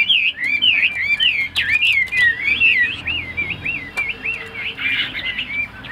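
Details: Caged Chinese hwamei kept as a songbird, singing a continuous run of loud, varied whistled notes that loop up and down in quick succession without pause.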